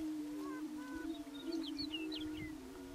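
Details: Greater prairie chickens on a lek in the Nebraska Sandhills, April, two males sparring as they wait for females; steady low booming drone with wavering hoots, plus short high chirping notes above.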